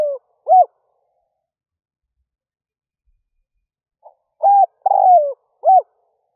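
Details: Early-morning lure cooing from a decoy spotted dove. The end of one phrase is followed by a long quiet gap, then a full phrase of a faint note, a coo, a long descending coo and a short final coo.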